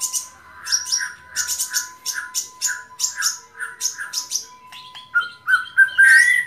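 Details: White-rumped shama song: a string of short, sharp repeated notes at about three to four per second, then shifting into rising, sliding whistles near the end, over a constant low hum tone.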